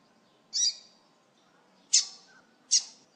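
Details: Double-collared Seedeater giving three sharp, high, buzzy chirps at irregular intervals of about a second, with quiet gaps; chirps used to rouse other seedeaters.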